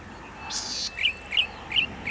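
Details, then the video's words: One harsh buzzy note from a golden-headed cisticola, then three crisp, evenly spaced 'lik' calls roughly every third of a second, over steady background hiss. "Cengkok merdu burung imut branjangan mini cici padi kepala mas"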